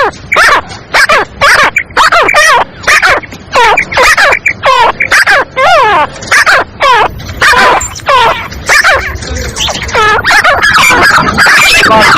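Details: Female black francolin voice used to bring birds in fast and excite them. Rapid run of loud, grating chevron-shaped notes repeated almost twice a second, overlapping and growing busier toward the end.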